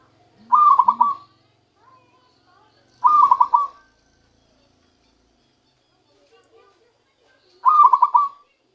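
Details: Newly caught zebra dove starting to sing its natural song: three rolling, stuttered cooing phrases, each about three quarters of a second, spaced roughly three and four seconds apart in near silence.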